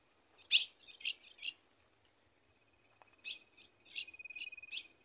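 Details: Female Ultramarine grosbeak calling for the male to mate, Rio Grande do Norte caatinga. Clear, sharp, high chips come in two clusters separated by a pause, over a thin, steady high tone in a quiet setting.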